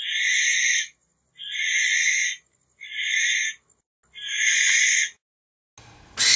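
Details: Barn owl calling with rough, breathy screeches near one second each, four spaced by short silences, ending with a brief noisy crackle.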